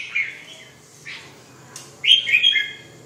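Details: Red-whiskered bulbul giving short whistled notes, a brief pause, then a louder warbling phrase of bright, slurred notes near the end.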